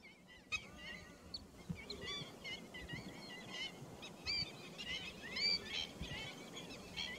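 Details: Pheasant-tailed jacana recorded on 28 July 2021: a series of nasal, mewing calls with upward-bending and downward-bending notes, some loud and clear near the end, over a steady low rumble of background noise.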